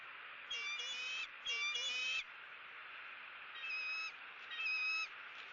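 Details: Eagle raising its young gives two loud, buzzy whistled notes close together, then after a pause two softer, similar notes. A steady low hiss lies underneath.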